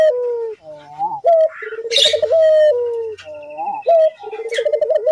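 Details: Energetic Barbary dove used as a lure so that other doves start calling: a run of pulsing, throbbing coos and falling tones, broken by a short hissing burst near the middle.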